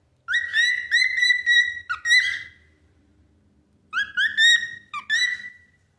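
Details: A cockatiel sings a phrase of clear, slightly rising whistles, pauses, then repeats it.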